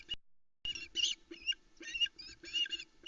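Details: Osprey chicks alone on their Loch Arkaig nest at 05.42 on 16 July 2020, squeaking excitedly as the male arrives with a large whole trout; a click, then a run of about seven high, squealing harmonic calls over a low hum.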